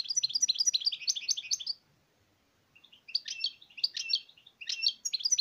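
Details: European goldfinch twittering in fast, high, tinkling runs, a long phrase followed after a brief pause by looser, chirpier bursts of notes.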